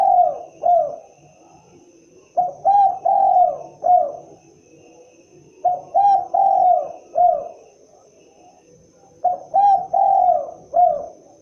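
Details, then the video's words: Spotted dove, known locally as derkuku or tekukur, giving its typical call: four mellow cooing phrases, each two short notes then a long drawn-out coo and a final short note, repeated every three seconds or so over a faint high hiss. "suara asli khas burung derkuku(Tekukur)"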